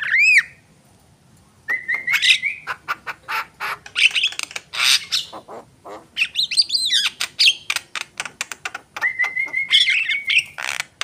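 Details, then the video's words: Javan myna in full voice: an opening loud upslurred whistle, then long runs of scratchy chatter, arching squeals and flat whistled notes. "jalak kebo gacor"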